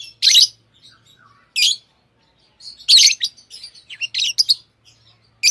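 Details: Pet lovebirds, tamed, giving shrill, grating chirps in irregular bursts separated by short pauses, with faint softer twitters between the louder notes and a quiet indoor background.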